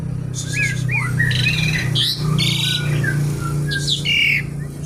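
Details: Javan pied starling in noisy song: clipped whistles and rising slurs alternate with loud grating, buzzy squawks, continuous and busy, above a steady low hum.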